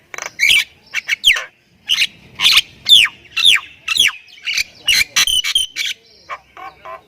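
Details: Javan myna of the Thai type giving varied full-fill song as a training master: loud notes with falling whistled slurs about every half second, then quick squeaky chips and fading softer calls.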